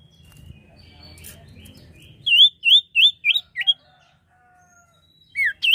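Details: Common iora in strong song for luring birds: after a faint murmur, a run of five or six looping high whistles, each dipping and rising, then two more downslurred and upturned notes after a short pause.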